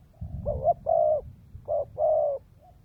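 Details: Decoy spotted dove singing in the dense 'kèm dày' cooing style: two low hollow phrases, each a short doubled note followed by a longer steady coo, over a soft low rumble.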